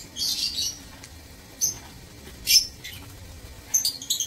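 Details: Lovebirds in a breeding aviary, recorded 15 April 2024: a few short, shrill, high chirps in scattered bursts, separated by quiet gaps.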